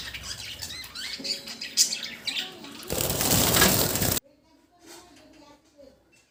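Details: Pet budgerigars at home chatter in quick, scratchy chirps and warbles, followed by a burst of flapping wings.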